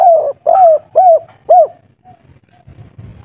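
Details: Agitated local spotted dove, kuk 3 style, utters four even, arched, hollow coos about half a second apart, then quiet low background noise.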